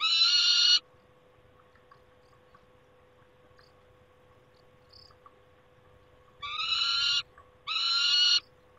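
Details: Nest-site peregrine falcon recorded on 28 August 2021. One loud, grating scream opens, then a long near-silent gap, then two more raspy cries close together, over a faint steady hum.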